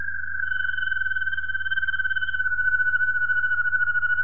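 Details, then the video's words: Waterslager Malinois canary, 2018, holding one long, low, hollow tone with a fine rapid flutter, steady in pitch for over four seconds; faint hum under it. "Waterslager Malinois Canary"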